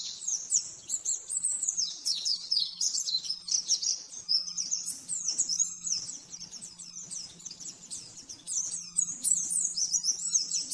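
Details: Training song of an oriental white-eye in the rapid 'nembak-nembak' style: continuous high-pitched twittering with rapid chirped notes and short warbled runs, delivered almost without breaks, with a light background hum.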